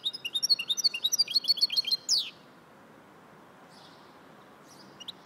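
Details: Goldfinch mule singing: a quick run of bright, high chirps and twittering notes for about two seconds, ending in a sharp downward sweep, then near silence with a couple of faint notes at the end.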